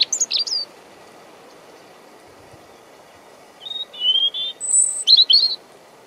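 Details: European robin (Erithacus rubecula) singing close to the microphone, about 50 cm away, in Deal, Kent, UK, 17 April 2021, on a windy day: a quick high twittering burst, a pause, then thin whistles and tumbling high phrases.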